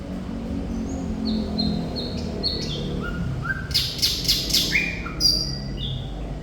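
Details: Thrush nightingale (Sikatan Londo) singing actively: thin high whistled notes in a loose sequence, then a burst of five loud, sharp broadband clicks. The bird then breaks into lower rising whistles over a steady background hum.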